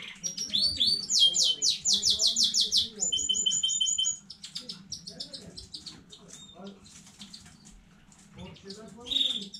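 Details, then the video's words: Canary from a new home breeding, 15 May 2019, singing: opening chattering notes, a fast trill of descending whistles, a two-pitched steady tour, then scattered soft notes and a final high phrase. "KANARYA ÖTÜŞÜ YENİ ÜRETİM HANEDEN 15.05.2019 CANARY SINGING"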